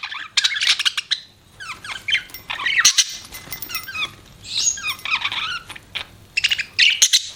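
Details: Budgerigars chirping in bursts, short flurries of twitters and squeaky upward-sweeping notes separated by brief quiet gaps, high and thin.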